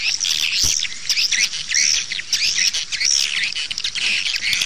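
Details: Playback of swiftlet calls used to draw birds into nest houses; looping high chirps and twittering phrases in a busy, overlapping chorus.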